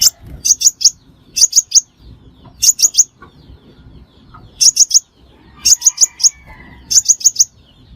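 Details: Crimson sunbird call played as a trapping lure: rapid clusters of three or four piercing high chirps, repeated roughly every second or two, with faint low rumble beneath.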